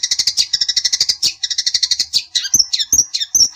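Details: Long-tailed shrike provoking song: fast chattering rattle of harsh repeated notes, shifting into high sharp whistled and squeaky notes.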